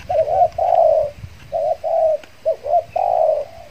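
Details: Post-moult decoy spotted dove luring wild doves in the Riau Islands, Indonesia; three rough coo phrases, each a short lead note followed by a longer drawn-out coo.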